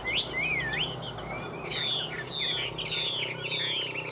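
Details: Hwamei kept as a cage bird, heard at midday, delivering loud looping whistles, then a series of bright descending slurred phrases about every half second, rich and ringing over faint low hum.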